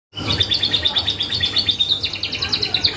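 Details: Canary in full, energetic song, used as a lure to draw responses from other birds: a fast run of repeated trilled notes, each syllable repeated roughly six times per second, high and steady in pitch, with faint low hum beneath.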